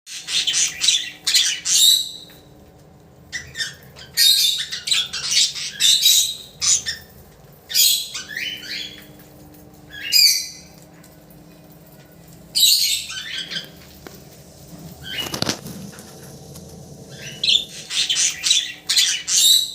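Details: Yellow red-eyed budgerigars chatter with bursts of high, scratchy warbles and squawks.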